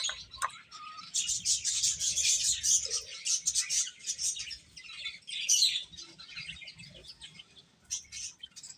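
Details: Chicken chicks chirping: a dense run of shrill peeps swells early on, then thins to scattered bursts of cheeping toward the end.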